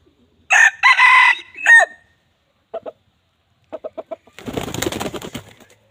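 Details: Red junglefowl crowing loudly in a harsh, broken phrase of several bursts, followed by short clipped cluck notes in small groups, then a burst of rustling noise at the end.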